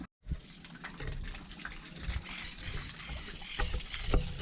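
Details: Water trickles and sloshes around a boat, with a low rumbling base and scattered splashes and knocks, and no animal voice.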